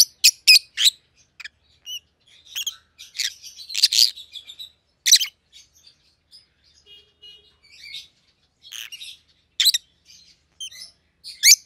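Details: Shrill, piercing chirps from two pet Rosy-faced Lovebirds of white-headed opaline colour forms come in irregular clusters, mixed with quieter chattering twitters over nearly twelve seconds.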